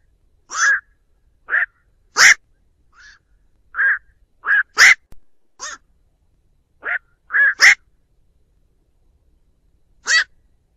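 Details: Black-crowned night heron flock call used to lure birds: a dense series of about fourteen harsh, clipped croaks, some doubled, a few much rougher and louder, over eleven seconds in silence.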